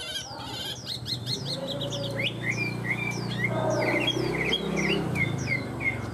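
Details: Tame Chinese hwamei singing strongly: a rapid run of clear, varied whistled notes, many sliding down, delivered in quick bursts over a steady low hum.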